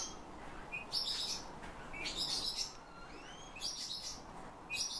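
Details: Song of a Eurasian bullfinch schooled by its owner, imitating his whistling and phrases of nightingales and thrushes: clusters of bright, crackly high notes and a few rising slurred whistles about every second, over low hiss.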